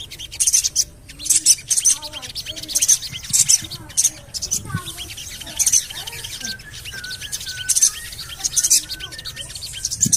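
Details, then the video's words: Javan cochoa lure calls for getting birds to sing: rapid bursts of high, rasping cuit notes repeated through the clip, with a busy background of lower warbling and whistled phrases from other birds. "CUIT...CUIT...CUIT PANGGILAN SOGON AGAR BUNYI"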